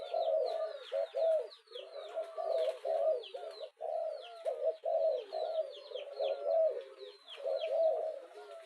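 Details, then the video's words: Spotted dove calling with steady, gravelly coos in close succession, an urging call for exciting a decoy bird, over constant thin chirping and tweeting of other small birds. "Tieng chim cu gay thúc kèm kích bổi nhanh nổi"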